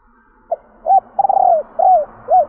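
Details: Female spotted dove giving a stuttered coo with three endings to excite males: a brief note, a rounded coo, a long wavering rolled coo, then two arched falling coos over a faint low hum.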